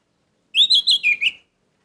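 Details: One gacor phrase from an orange-headed thrush, meant to stir emotion: five linked, fluty whistled notes that rise slightly, then fall, lasting under a second.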